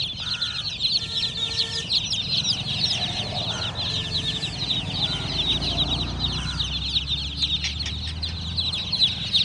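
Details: Many young chicken chicks chirping at once, a dense stream of high, brief down-slurred peeps, a few lower clucking notes early on, and a low rumble underneath.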